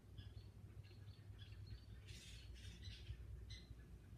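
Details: Several wild Great Horned Owls living in a country forest, screeching at night: faint, breathy, hissing screeches around the middle of the stretch and one shorter rasp near the end, over soft high chirps and a steady low rumble.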